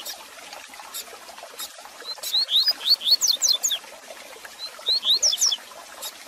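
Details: Double-collared seedeater song to warm up and teach a caged male: a phrase of evenly spaced, bright upslurred whistles speeding into higher notes, followed by a shorter similar phrase, over steady hiss.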